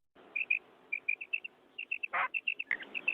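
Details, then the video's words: A female common quail in a field gives quick, high, chirping notes, often in pairs and several per second, broken by two brief rustling bursts. "Female Quail sound | Madi Batair ki Awaz |Quail Singing in field"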